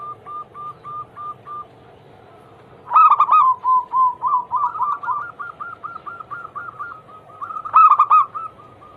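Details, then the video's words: Perkutut, or zebra dove, song played as a daily lure to prompt other doves to sing: long trains of rapid, even, soft coo notes broken by two loud burry phrases. "Pancingan harian burung perkutut Anggungan"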